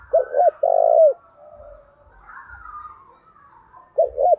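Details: Spotted dove decoy calling to provoke fights: paired low coos and a longer coo, a pause, then another double coo.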